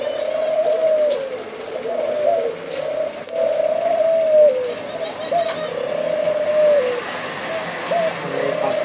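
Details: White dove producing repeated arching coos: mid-pitched, smooth notes that swell and fall away, several in quick succession with brief pauses, against a low background hiss and occasional clicks.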